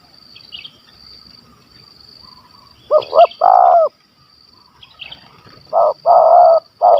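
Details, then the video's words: In Malaysia, a stuttering spotted dove with a large voice sings its kuk 1 2 call during a hunt: after a quiet start, two loud phrases of two short notes and a long coo, plus distant faint chirps. "Bl Gagap Suara Besar Kuk 1 2"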